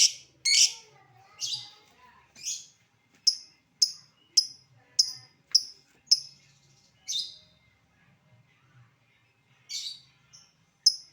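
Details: Lovebird giving 'ngetik' calls: irregular sharp ticks and short harsh chirps, some in quick pairs, spaced by brief pauses, with a few buzzier notes near the start and end.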